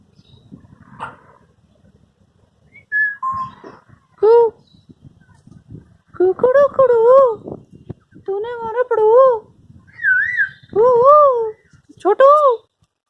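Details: African grey parrot at Dhauladhar Nature Park, Dharamshala, India, talking: a run of wavering, voice-like phrases and short whistled notes in bursts about a second long, separated by brief pauses, with soft background chatter.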